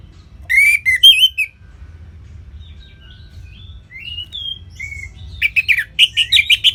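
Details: Caged orange-headed thrush from northern Bali giving varied whistled phrases, soft thin notes in the middle, then a rapid run of sharp repeated chirps near the end.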